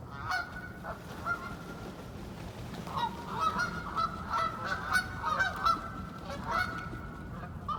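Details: Flock of wild ducks gathered on wintering ground in icy cold weather, giving repeated nasal calls, several overlapping in loose bursts, over a steady low rumble of background noise.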